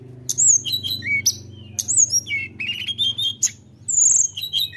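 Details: Lively tledekan gunung, or Sunda robin, singing to provoke a rival: a dense stream of high whistled notes, quick upslurs and downslurs, and bright chirps, packed closely together in continuous bursts.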